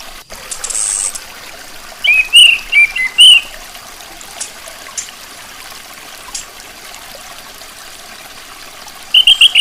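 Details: Female orange-headed thrush, with a few short, bright chirped notes in a quick cluster around the second to third second and another brief burst at the end, over a steady background of trickling water.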